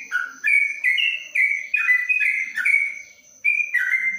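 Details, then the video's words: Yellow-vented bulbul singing inside a cage cover in Kebumen, Indonesia, 'ropelan panjang' style: sliding whistled notes in a rolling series, a short gap at about three seconds, then resuming; a constant faint high whine runs throughout. "Trucuk Ropelan Panjang dalam krojong"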